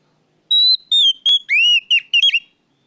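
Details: Actively singing kacer (oriental magpie-robin) used as a lure gives steady high whistles followed by a long rising slur and quick twittering notes, loud and clean.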